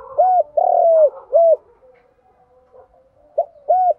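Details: Spotted dove lure recording, male and female birds, 'giọng đồng' style with 'gù' and 'thúc' calls for training decoys: short, long, short mellow hooting coos, a pause, then two more short coos.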